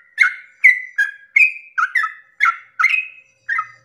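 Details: Sooty-headed bulbul singing at dawn in a long, lively song meant to stir other bulbuls into singing: nine short, bubbly, mid-pitched notes in under four seconds, each a quick slurred phrase, with quiet gaps between.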